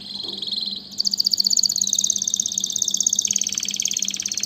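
A canary sings fast, high rolling trills, each a rapid run of repeated notes that shifts pitch every second or so, over a faint low electrical hum.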